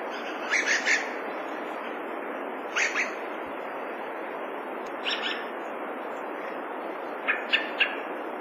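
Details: Dusky thrush in winter giving four short bursts of harsh, chattering call notes spaced a second or two apart, each a quick double or triple chuck, over a steady hiss of background noise.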